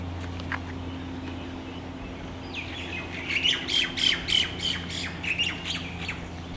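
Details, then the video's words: A quiet stretch with a few scattered chirps gives way to a loud burst of rapid squawking chirps from tropical birds roosting at dusk in exotic trees and palms on Maui, over a steady low hum. "The sound of Tropical Birds on Maui at Dusk"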